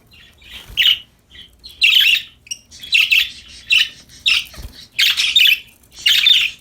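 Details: A group of happy parakeets chirping while playing: repeated raspy, squawky chatter phrases, about one per second, rising in loudness after a soft start.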